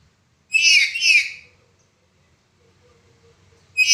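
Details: Black-capped lory with the 'suara pecah' broken voice, used as a tutor recording for other birds: two quick rasping squawks close together, then a pause with faint background hum before another harsh squawk begins.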